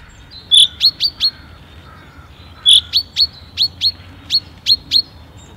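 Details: Common chaffinch "rain call" in Tsaritsyno park, Moscow, 30 March, cloudy, cool, windless; said to signal excitement or anxiety, not rain: two bursts of high clear notes, each sharp then three or four falling, two seconds apart.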